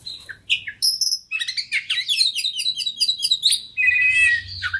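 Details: Oriental magpie-robin, a persistent fighter-style kacer, delivers a lure song: high thin whistles, then rapid rattling trills and chattering phrases ending in a wavering whistle, with a soft low rumble in the background.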